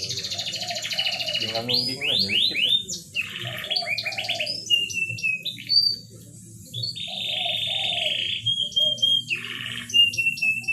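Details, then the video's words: Canary singing to stimulate mating in birds slow to come into breeding condition. A varied stream of steep sweeping notes and sustained high rolls, a low gurgled tour, and a brief pause midway. A soft low hum runs beneath. "Pancingan kenari susah birahi"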